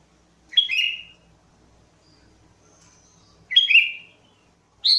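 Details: Lure song of a sooty-headed bulbul: two rich, gurgling phrases falling in pitch, about three seconds apart, then the start of a third at the end. Quiet between the phrases.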